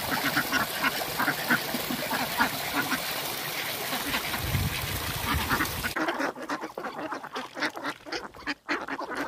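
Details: Indian Runner ducks kept at a backyard pond in a rural setting give a steady stream of overlapping nasal quacks. The sound turns sparser and more broken partway through, over constant background noise.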